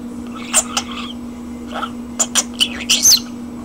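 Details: Common starling indoors giving sparse, scattered clicks and brief high whistled notes, ending in a short rising whistle, against a steady low hum.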